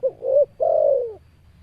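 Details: Spotted dove (tekukur) cooing: short opening note, a rising middle coo, then a long, full, gradually falling coo, all low and soft-toned.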